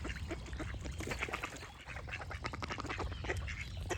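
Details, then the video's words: Ducks quacking in a dense, busy chorus of harsh, broadband calls that overlap almost continuously, with higher chirping from other birds mixed in throughout. "Duck Quack Sound Effect with Birds Chirping for Relaxation"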